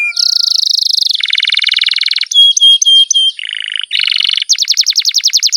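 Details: Canary in full, vigorous song with long rolls: a sequence of fast buzzy trills at changing pitches, a run of ringing metallic notes, then a rapid pulsed trill of repeated notes at the end.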